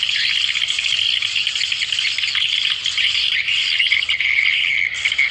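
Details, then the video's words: Lure sound for calling swiftlets together: an unbroken wash of shrill, overlapping twitters and chirps from a crowd of birds, level and constant, with a brief dip near the end. "SUARA PIKAT PEMANGGIL BURUNG WALET"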